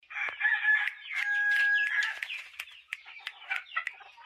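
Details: Chickens calling in a loud, dense flock: overlapping squawky cackles and clucks, with a few steady drawn-out notes near the start.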